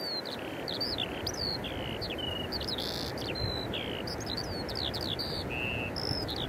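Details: Singing Eurasian skylark at Eyemouth, 30 May 2024, recorded on a Canon EOS 90D with Sigma 150–600mm lens: a steady, unbroken stream of high, quick chirps, slurred whistles and buzzy notes over a constant low wind-like rush.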